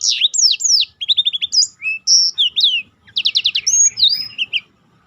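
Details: Black-throated canary delivering its roll in a tutoring recording for contest birds, with rapid descending whistled slurs, quick even note runs, a short gap, then a fast trilled series and lilting whistles.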